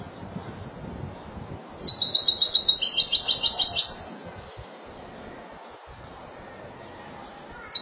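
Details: High, sparkling trill from a Spanish goldfinch in Malaga style, about two seconds of rapidly repeated bright notes that turn slightly choppier toward the end, then near silence.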